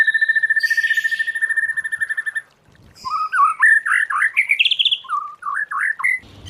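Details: White-rumped shama singing in its wild forest voice, used for song training: a fast run of identical short mid-pitched notes, a pause, then rich varied whistled phrases sliding up and down in quick succession.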